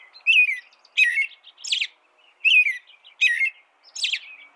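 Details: Rich caroling phrases of an American robin, six loud warbled phrases alternating lower rolling slurs and higher squeaky notes, evenly spaced.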